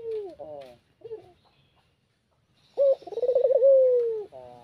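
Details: A Barbary dove cooing in the late afternoon, used as a lure for trapping: soft, low rolling coos, then a quick throaty trill running into a long, drawn-out falling coo, with faint low rumbles underneath.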